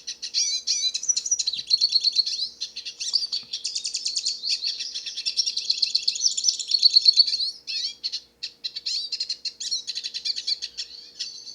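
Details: Hooded siskin, a black-headed wild finch singing freely in nature, delivers a long, fast, high twittering run of chirps and trills with short pauses, unbroken for nearly twelve seconds.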